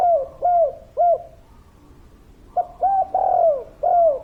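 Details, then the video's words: Actively calling spotted dove, local kuk 3 type: three evenly spaced soft coos, a short silence, then four more, the middle one stretched and dropping in pitch. "Derkuku Tekukur Gacor Suara Padat"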